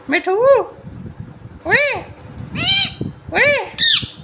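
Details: Talking green parrot at home giving a series of arched, nasal, harmonic calls, five bursts in about four seconds, with background noise and indoor rumble.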